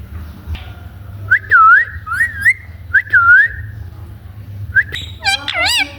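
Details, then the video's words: Parrot giving clear looping whistles, several in a row, then a burst of harsher harmonic calls, over a steady low hum. "parrot sound"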